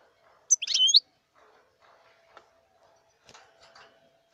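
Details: Wild European goldfinch giving a single brief, bright phrase of high twittering notes with a short liquid upslur. Afterwards only faint low murmurs and a steady low hum are heard.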